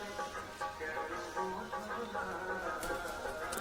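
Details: Instrumental music with a steady melodic line and faint speech, with no animal sounds.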